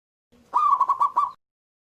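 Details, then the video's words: Local zebra dove, described as a frequent singer with a big voice, giving one loud cooing phrase: a rolling series of about five quick pulsed coos at an even pitch, ending in a short held note. "PERKUTUT LOKAL GACOR SUARA BESAR"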